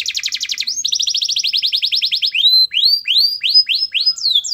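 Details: Lively canary singing to provoke a silent canary into joining: a fast pulsing trill, a steady rolling tour of repeated high notes, then a series of rising swept whistles.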